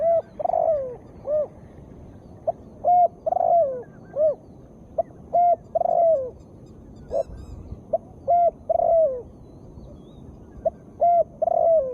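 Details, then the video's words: Female spotted dove calling, used to prompt lazy birds to sing: soft mellow cooing phrases of short rising-falling notes, repeated in groups with brief pauses, clear against quiet background. "Tekukur gacor suara betina sangat bagus untuk terapi burung yang malas bebunyi"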